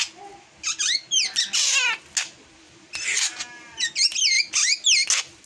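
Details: A drongo's unusual song mixing scratchy, harsh bursts with clear whistled slurs, including a descending rasping rattle, with brief gaps between phrases.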